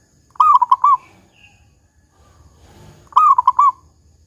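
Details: Zebra dove, local type, singing the big 'kung' song: two brisk phrases of four or five bubbling coo notes, under three seconds apart, with a soft low murmur between them.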